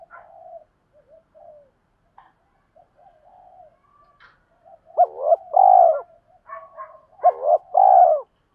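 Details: Spotted dove used as a decoy, calling to train other birds and lure wild ones: soft scattered murmuring notes, then two loud low phrases of a quick hooked note followed by a sustained, slightly falling coo.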